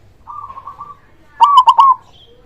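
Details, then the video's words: Local zebra dove with a big voice, used to prompt silent or reluctant doves to sing. A long, even, slightly wavering coo is followed after a pause by a loud, stuttered three-part coo. "Perkutut lokal gacor suara besar"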